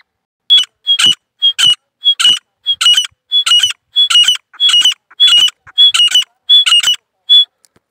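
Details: Three grey francolins, two females and one male, sing in a steady series of about a dozen phrases, roughly two per second. Each phrase pairs a sharp, high whistled note with a harsh, ringing burst, ending on a lone whistle.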